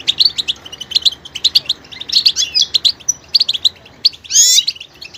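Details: Goldfinch song of rapid chirps and twittering notes, ending with a loud, harsh high buzzy burst near four seconds.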